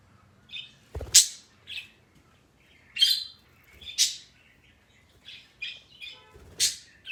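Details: Parrot kept as a pet, making its new sound of the day: short high chirps and sharp screeches spaced irregularly, about thirty-two bursts a minute, with a few low knocks in the room.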